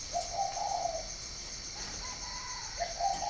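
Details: Spotted dove at a breeding farm in Ba Vì, northern Vietnam, repeating soft, rolling coos: a burry phrase, then a smoother rising-falling note, then another burry coo. A steady high insect buzz fills the background.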